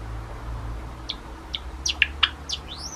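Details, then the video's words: Pet Java sparrows, a sakura-colored male and a salt-and-pepper male, singing at home: a few scattered sharp chirps and clicks, ending in a high sweeping whistled note. "僕らは歌う♪ ～桜文鳥＆ごま塩文鳥のさえずり～"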